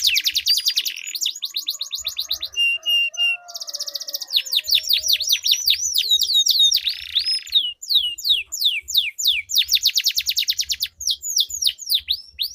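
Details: Canaries in a song duel, with long rolling song used as a lure for canaries that have stopped singing: fast trills, a brief buzzy passage, then rapid repeated descending whistles, all high-pitched and continuous.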